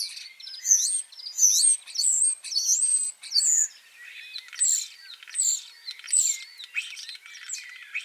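A Common Starling sings a rambling medley of high whistles, slurred notes and squeaky chatter, phrases tumbling out about once a second with no other sounds.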